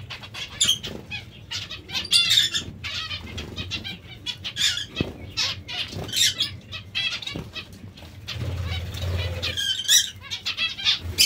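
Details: Several short, bright, nasal chirps from zebra finches feeding on vegetables come densely and irregularly throughout, over fluttering wings and low rustling bumps.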